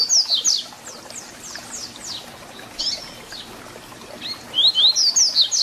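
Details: Double-collared seedeater (papa-capim) singing the 'tui tui zel zel' song style, used for tutoring young birds: rapid series of high, thin downward-slurred whistles in two bursts, a short buzzy phrase between them, faint background hiss.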